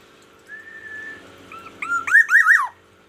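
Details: Black-naped oriole from Aceh, kept under daily care, singing in the morning: a long steady whistle, short fluty notes, then a loud rolling, looping phrase of rich whistles, in a quiet room.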